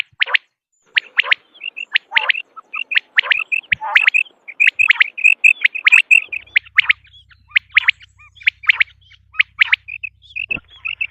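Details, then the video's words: Common quail, from a lure recording for hunting, giving a dense stream of sharp high chirps mixed with short paired whistled notes, fairly irregular, with a faint low hum in the second half. "بٹیر کی اواز 1 گھنٹے کی Quail Beautiful voice"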